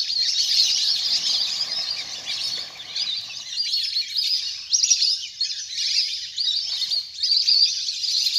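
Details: Ducks in a large natural flock playing in water, recorded for calling birds down; high chattering calls pour out continuously, swelling in bursts, with a faint low rumble early on.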